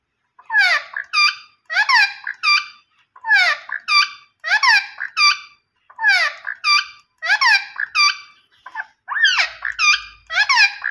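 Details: Green ringneck parrot talking indoors. It repeats a two-part phrase: a harsh, harmonic, swooping syllable, then a short bright squawk. The pairs come in bursts roughly every one to one and a half seconds, with a brief pause near the end.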